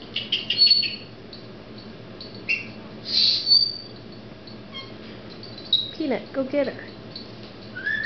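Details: Female Senegal parrot kept as a pet indoors, showing off a newly learned word: a run of shrill clipped squawks and thin whistles, one longer squeal in the middle, then a person's voice speaking late in the clip.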